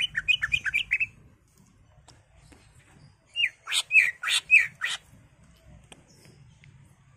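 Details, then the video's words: Greater green leafbird kept in a cage, singing emotionally as a provocation recording: a quick burst of bubbling whistles, a silent gap of two seconds, then a rhythmic series of harsh, buzzy chattering notes mixed with whistles. "CUCAK IJO GACOR EMOSI BONGKAR ISIAN NGENTROK/ PANCINGAN CUCAK IJO BIAR EMOSI"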